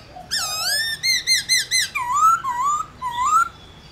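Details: Black-throated laughingthrush giving a fired-up réo song meant to stir other laughingthrushes into singing: a low buzzy note, a sweeping whistle, four rapid ringing notes, then three rising slurred whistles.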